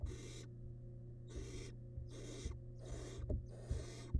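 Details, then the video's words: Wild barn owl chick in a nest box eating a large rabbit remain produces five drawn-out, noisy, rasping hiss bursts about a second apart, with faint knocks and clicks and a low hum beneath. "Barn Owl Nestling Devours Large Rabbit Remain"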